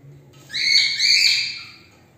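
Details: A single cockatiel gives one drawn-out, harsh rasping screech lasting about a second, slightly wavering, over a low background hum.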